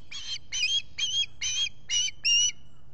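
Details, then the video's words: Six loud, piercing, slightly rising chirps from an osprey squawking at its nest, spaced roughly half a second apart, recorded by a solar-powered nest camera in the Finger Lakes, US, on a July 2021 morning while the mate preened. "Olan squawking"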